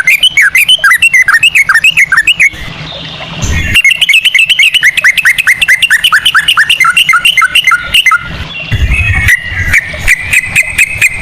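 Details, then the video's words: Yellow-vented bulbul ropel song used as a lure: long rapid chains of clear, dipping whistles, a noisy gap, then another fast run ending in higher sustained whistled notes; loud and slightly distorted. "pancingan ampuh burung trucukan ropel cengkok cucak rowo"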